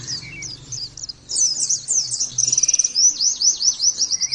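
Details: Caged Oriental white-eye starting with scattered high chirps, then a loud rapid twittering song with buzzy trills and a quick series of repeated sharp notes near the end.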